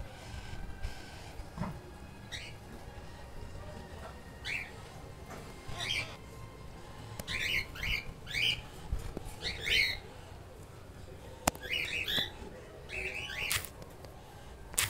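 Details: Keel-billed toucan chicks at one month of age calling in a series of rasping, croaky notes, sparse at first then coming faster in the middle, with clicks and low background noise.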